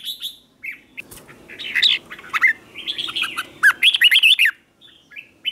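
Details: Red-whiskered bulbul morning song for training birds to sing in contests; a run of warbling, chattering whistled notes that builds into a loud rapid phrase near the end, with sharp clicks between.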